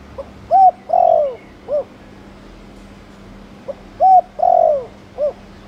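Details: Spotted dove, Thổ Đồng coo style, used to get other doves cooing; two phrases roughly three seconds apart, each a faint pip, a short arched coo, a drawn-out sliding coo and a short final note, soft and low-pitched.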